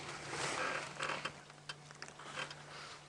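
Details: Scraping, rustling and clicking handling noises over a steady low hum, with brief bursts of broadband noise and no animal voice.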